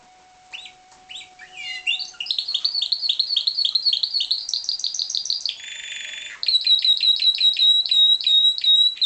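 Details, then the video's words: Pied Timbrado canary, bred in captivity, singing loudly with varied chattering phrases, then a long buzzy rolled trill, a sustained lower tone, and a steady, rapidly pulsed high trill. "Timbrado canary"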